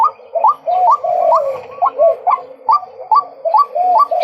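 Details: Male white-breasted waterhen calling with around ten rising, hoarse notes in four seconds, mixed with lower gurgling, slurred sounds between them.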